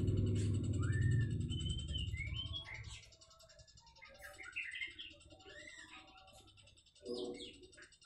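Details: Juvenile magpie-robin, freshly moulted from spotted plumage, learning to twitter: a loose run of short whistled and chirped notes, a burst of quick varied twitters midway. A low rumble opens the recording and a brief noise comes near the end.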